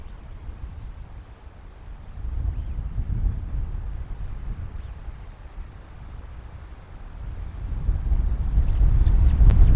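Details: Low wind rumble rises and falls throughout, growing louder toward the end with a couple of brief sharp clicks, and no animal call is heard.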